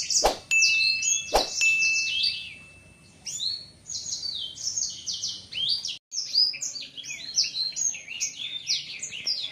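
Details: A 7-month-old male blacksang, voice not yet fully developed, spreading its wings on seeing a female, sings a fast unbroken run of high varied chirps and twitters, with two sharp knocks at the start.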